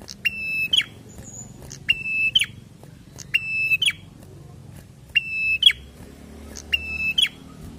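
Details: Five steady whistled notes from a prinia in 'gacor fighter' style, each held briefly then snapping into a quick rising-falling flick, repeated about every one and a half seconds, with soft high ticks in between.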